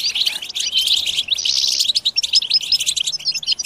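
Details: Massed European goldfinches twitter at once: a busy, unbroken tangle of sharp high tweets, quick trills and short buzzy bursts, the overlapping voices rising and falling in loudness.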